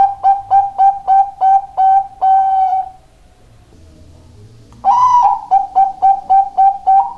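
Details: Zebra dove of the Bangkok type, singing actively. A run of short, clear cooing notes about four per second ends in one drawn-out note. A pause follows, then a loud emphatic note starts a new string of quick repeated coos.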